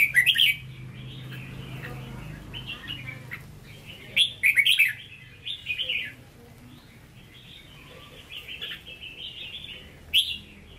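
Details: A red-whiskered bulbul kept in a cage, true Hue voice, gives loud clustered whistled bursts at the start, near four seconds and near ten seconds. Gentler rambling warbles fill the spaces, with low hum in the background.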